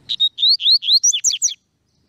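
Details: Clear, clean phrase from a double-collared seedeater: a steady high whistle followed by quick rising slurred notes and a fast twittering finish, lasting about a second and a half.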